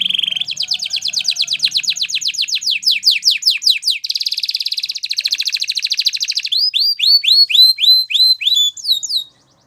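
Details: Canary singing for training: a steady run of rapid descending chirps for several seconds, a dense buzzy roll, then clear rising-falling whistled notes repeated about twice a second, ending abruptly.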